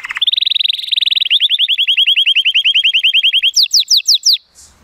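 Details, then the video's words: An 83-point Timbrado Español canary, a male born 2018, sings on a sunny day. He gives a dense buzzing roll, then a slower series of clear rising notes, ending in high falling slurs before falling silent. "The most PLEASANT Canary training song"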